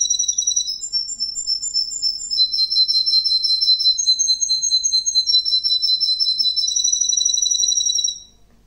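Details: Russian green canary male singing a chain of trilled tours, each shifting pitch every second or two, bright and continuous before ending abruptly.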